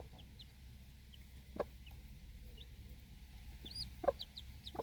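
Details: Broody backyard hen guarding four young chicks while they feed outside; scattered high, brief descending chick peeps over a low droning background, with a few sharp taps and clicks.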